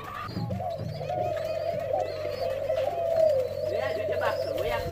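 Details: White-crowned pigeons being released give a steady, overlapping chorus of low, wavering coos, with human voices and a low hum underneath.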